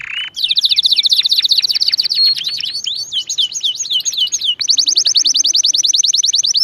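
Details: Canary song played nonstop to teach other canaries: a brief low buzz, then a rapid high trill, a series of looping swept notes, and another fast even trill of repeated notes.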